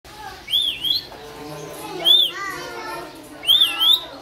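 Rainbow lorikeets give shrill, grating screeches in short arched bursts, about one every second and a half, over a low background murmur.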